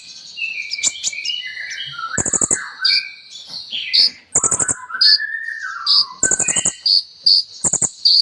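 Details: Kolibri ninja sunbird singing energetically, its song packed with imitations: tumbling twittering phrases, a rising-then-falling drawn whistle, repeated high sweet notes, and three loud rattling bursts of rapid clicks.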